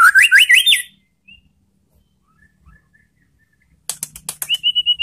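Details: White-rumped shama lure song: a fast burst of rising slurred whistles, a long near-silent stretch with faint distant notes, then a clicking rattle and a steady, level whistle.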